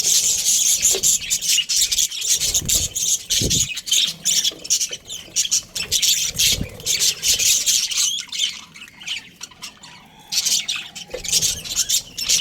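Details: A breeding pair of Australian budgies gives loud, constant chatter. Harsh, buzzy squawks and high chirps repeat rapidly and unevenly, with faint low thumps underneath.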